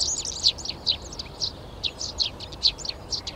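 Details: Eurasian tree sparrows taking over nest boxes in a garden in Přerov, Czech Republic, on 19 March: sharp high chirps repeated at an uneven pace, over two per second, with steady low background hum.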